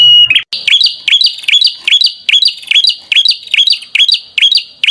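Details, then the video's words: Prinia song: a fast series of sharp chirped notes with a rising inflection, repeated more than twice a second after a brief lower note at the start. "Kicau Merdu Burung Perenjak"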